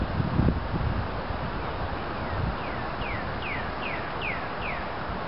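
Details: Pileated woodpecker in Bechtel Park, Waterloo, giving a series of about seven down-slurred notes that grow louder and come roughly every half second, over steady wind and rumbling background noise with rustling at the start.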